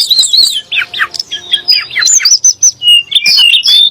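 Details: Sunda blue robin song, used to stir shamas and other birds into singing: quick downward-slurred whistles repeated in a series, then a run of higher chirping notes.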